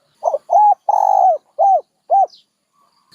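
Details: A dove gives a short coo phrase: two brief notes, one long sustained coo, then two more short downward-bending coos.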